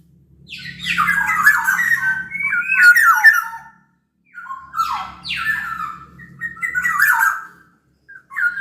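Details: Black-naped oriole from Sumbawa singing briskly as a lure for other orioles: dense fluty phrases with descending slurs and rasping, nasal notes, one pause midway, and a steady low hum behind.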